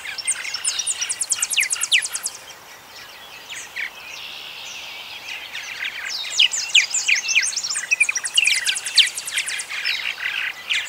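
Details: Purple martin song: dense runs of rapid, rasping and chirping notes with buzzy trills, a short quieter gap near the middle, then a second burst of gurgling, chattering phrases.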